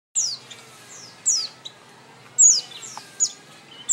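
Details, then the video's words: Oriental white-eye: sparse, very high, thin chirps sweeping quickly downward, given every second or so against faint background hiss. "Kicau Burung Pleci Kacamata"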